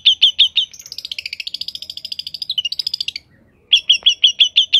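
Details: Energetic, richly varied song of a long-tailed shrike: a run of sharp high chips, then a fast rattling trill that rises and falls, a short pause, and more crisp repeated chips.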